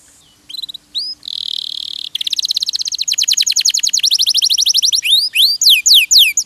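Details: Canary training song: a few short notes and a flat buzzy tone, then a long accelerating trill of quick sweeping notes and looping downslurred whistles.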